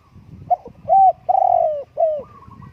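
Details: Spotted dove giving a mellow coo phrase: a brief clipped note, then a smooth coo, a long sustained coo and a shorter falling coo, over a low rumbling background.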